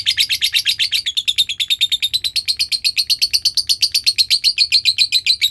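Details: Lovebird ngekek used as a lure for teaching birds the long trill: a steady, rapid chattering of evenly spaced sharp notes, high and slightly buzzy, sustained throughout.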